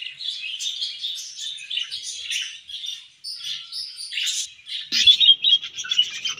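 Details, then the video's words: Contented budgerigars chattering: a continuous stream of buzzy, warbling chirps and brief whistled notes, growing louder and more clipped toward the end. "Happy Budgies Sounds"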